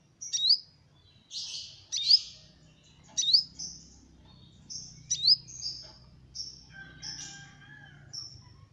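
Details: Sunbird song used to lure small birds: a series of short, high, sweet chirps and bright upward-flicking notes in quick bursts about every half second to a second, with faint low background hum.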